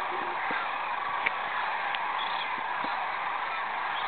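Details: Massed sandhill crane chorus from a Platte River roost at Audubon's Rowe Sanctuary, late March 2012, as an eagle approaches and the birds rise; countless overlapping trumpeting calls blur into one thick, unbroken roar.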